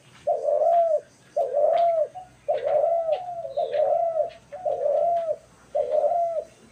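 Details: Dove calling on March 28, 2024, with six evenly spaced, low, hollow coos, each a short bowed note lasting under a second, repeated roughly every 1.2 seconds against a quiet background.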